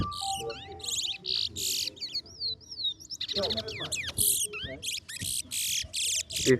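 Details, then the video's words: A chestnut-bellied seed finch (towa towa) sings at a bird singing competition: a rapid, varied string of buzzy bursts and sweet sliding whistles, phrase after phrase, with faint voices in the background. "TOWA TOWA BIRD SINGING COMPETITION"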